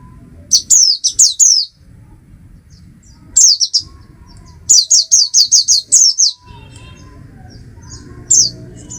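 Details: Oriental white-eye, a small resident woodland bird of tropical Asia, sings in quick bursts of very high, thin, sharply downslurred notes. Groups of three to eight notes run rapidly, separated by short pauses, over a faint low background rumble.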